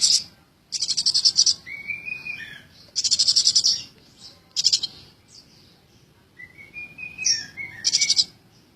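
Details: Tame, lively Eurasian tree sparrow alternating high rasping rapid-pulse chatters with thin, slurred, falling whistled notes, about five chatter bursts in sequence.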